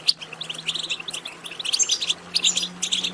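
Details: Short burst of European goldfinch twittering from a recording intended to stimulate goldfinches to sing: fast, high, sparkling chirps strung closely together, with a faint low hum underneath.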